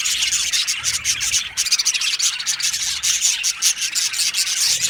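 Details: Dense, loud chirping from a budgerigar colony in an aviary, a hissy, buzzy chatter of countless overlapping squeaks that never pauses.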